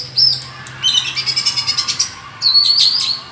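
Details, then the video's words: Oriental magpie-robin duetting against rival birds in the forest: very high, thin, bright chirps and trilled twitters in quick, rapidly pulsing bursts. "lần đầu thấy chòe than hót đấu giọng rừng hay và căng lủa đến vậy"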